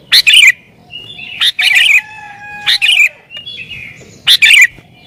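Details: Sooty-headed bulbul singing agitatedly to lure wild bulbuls: four loud, bubbling chortle phrases spaced over a second apart, linked by steady, thin, level whistled tones.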